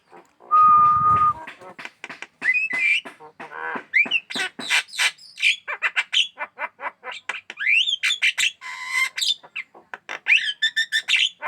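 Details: Chattering Javan myna pet, said to sing constantly and peck at hands, pours out dense harsh squawks and bright upslurred whistles after a brief loud steady tone at the start.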